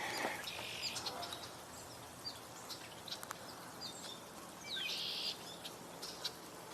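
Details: A Red-bellied Woodpecker, somewhere towards the woods, not too far away but unseen, gives two rolling, burry churrs about four seconds apart on an October 18 walk, with scattered chirps from other birds and light rain falling.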